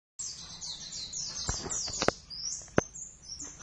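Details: Javan oriental white-eye pair in a first duet, practicing the rapid ngeriwik song style: high, thin, sliding chirps that fall in pitch, broken by sharp clicks and taps.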